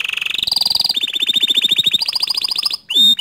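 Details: Bottle-green canary singing a tutor song for young and untrained canaries: a buzzy low trill leads into fast, bright rattling rolls, then clipped repeated notes and a final sliding whistle.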